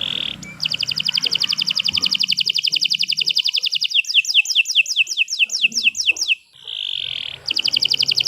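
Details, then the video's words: Canary in full song: a brief high whistle, then a long rapid trill of repeated notes, a run of slower down-slurred notes, and another sustained whistle before the trill returns. "Kicau Burung Kenari 165 II LUAR BIASA GACOR PANJANG Cocok untuk Masteran"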